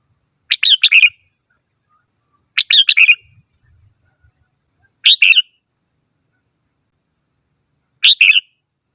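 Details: Red-whiskered bulbul singing short phrases of three to four sharp whistled notes, spaced two to three seconds apart, with faint low thumps in between.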